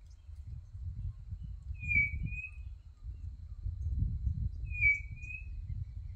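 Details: Quail song heard on a country smallholding in Brazil, two short high whistled phrases a few seconds apart over steady low wind-like rumble and background noise.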